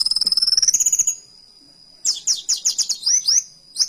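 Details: A kolibri wulung delivers canary-like song, a rapid rising rattle trill, a pause, then a quick series of sharp descending chirps and upslurred whistles.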